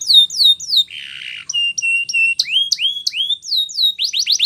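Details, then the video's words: A canary, possibly a male Spanish Timbrado, sings a training song: a fast, varied run of bright falling whistles, a brief buzzy roll, rising slurs and rapid clipped notes, about three per second. "Canary's Most Powerful Song For Training"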